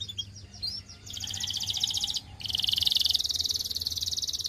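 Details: Belgian canary in song, opening with a few quick chirps before two long, dense, buzzy trills of rapid high notes, separated by a brief pause.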